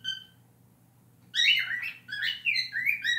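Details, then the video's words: Pet cockatiel, a learned mimic of honking and a scream song, gives a short whistled note, a pause, then loud, harsh, wavering screeching calls in quick bursts. "Needle singing + honking and screm song"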